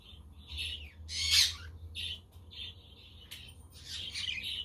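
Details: Budgerigars chattering on a windy, sunny day, with a quaker parrot and a conure in the background: short buzzy chirps at a fairly high pitch, plus one loud harsh broadband squawk near the start.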